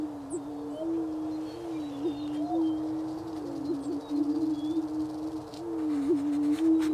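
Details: Continuous chorus of greater prairie-chickens in Kansas's Wabaunsee County, spring 2010: deep, hollow, overlapping moans running the full length, wavering and briefly rising in pitch, with faint high bird whistles overhead.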